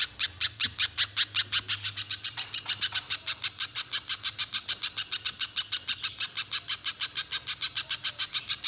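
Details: Banana spiderhunter calling continuously as a provoking lure for other spiderhunters; harsh, clipped notes repeated quickly and evenly through the whole stretch, with a soft background drone.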